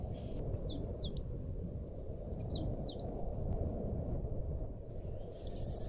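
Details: High, thin leaf warbler song, recorded as training material for cage birds: brief bursts of quick down-slurred twittering notes about every two seconds, fairly quiet against a constant low rumbling background.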